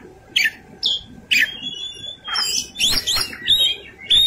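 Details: White-rumped shama fighting song: sharp downslurred notes repeated about every half second, then a long whistle and busy harsh warbled phrases.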